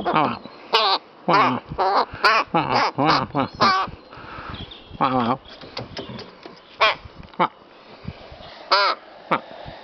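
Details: A rook at play with a feather and flower gives a rapid run of hoarse, down-slurred caws, about a dozen in the first four seconds, then sparser calls, mixed with a man speaking coaxingly and faint music.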